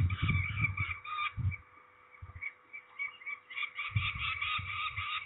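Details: Peregrine falcons during ringing at Trzebież, Poland, on 13 May 2019: harsh, rasping calls repeated rapidly and unevenly, with low thumping and handling noises between bursts.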